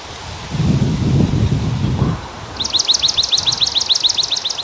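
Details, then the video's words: Swamp sparrow singing a fast, even trill of sharp high chirps that runs for about two seconds, coming after a stretch of low rumbling noise with no birdsong. "Bird Chirping Sound - Swamp sparrow"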